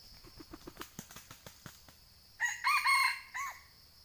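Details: Sumatran red junglefowl in a eucalyptus plantation, its call used to lure wild birds into traps: a run of soft rapid clucks, then one loud broken crow in three or four segments, with insects buzzing behind.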